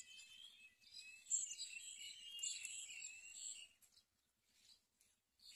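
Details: House sparrows feeding young give a dense jumble of high, bright chirps for nearly four seconds, then fall quieter with a few scattered chirps near the end.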